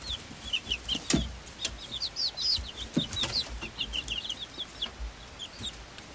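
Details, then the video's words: Swedish flower hen chicks, five weeks old and hatched on 26 February 2022, together with a same-age silkie chick; a busy flock of high peeping notes, some rising and falling, with scattered clicks and scratching thumps. "Blumenküken 5 Wochen alt"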